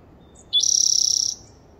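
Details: A Spotted Towhee on 30 April 2021 gives one short high note, then a rapid, dry, buzzy trill lasting under a second, over quiet background.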